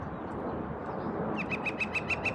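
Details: Woodpecker on a sunny Seattle morning near a metal chimney crown, calling to attract a female: a fast series of about eight clipped, identical notes starting partway through, over low traffic-like hum.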